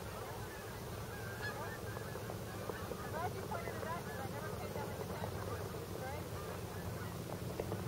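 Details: Migrating geese arriving at a Delaware wildlife refuge, Bombay Hook, USA; a thick wash of honking from a big flock, partly masked by strong low-pitched rumble.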